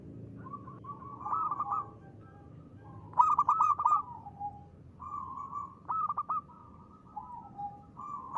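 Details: Zebra dove of local stock giving ngristal song: soft rolling coos build into a loud burst of quick repeated notes, followed by further rippling phrases spaced a second or two apart.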